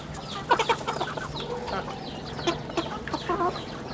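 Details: Chickens on a rural farm, chicks among them: a burst of low, rapid clucks around the half-second mark and again near the end, with faint high peeps scattered between over a low background hum.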